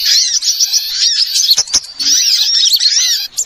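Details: Bird-trapping lure sound of small birds: continuous shrill twittering and squeaky slurred notes from many birds together, with a short lull in the middle.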